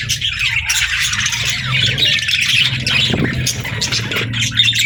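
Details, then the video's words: Budgies warble and chirp in a busy flock chorus, over a steady low hum in the background. "Budgie Chirps & Sounds"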